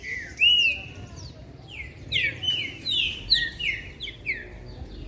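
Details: Green-winged saltator (trinca-ferro), a captive, aggressive bird singing toward a rival during a song session, gives a rich series of clear, slurred whistles, falling and rising phrases repeated several times a second, with faint background murmur.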